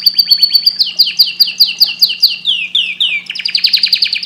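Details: Canary singing at length: loud, fast rolling trills of high, downward-slurred notes, each phrase holding a steady rhythm before switching to a new rolled phrase, with a faint steady low hum underneath.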